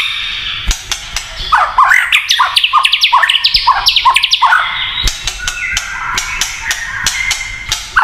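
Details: White-rumped shama kretekan song that makes other shamas emotional: a rapid chattering burst of swooping notes in the middle, framed by sharp clicks and faint high tones.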